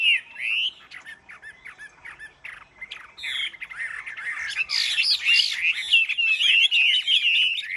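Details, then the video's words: Caged male Chinese hwamei in a singing contest, starting with a few scattered slurred notes, then from about three seconds building into a loud, continuous, churning warble of fast, buzzy-edged phrases. "Họa mi hót đấu giàn"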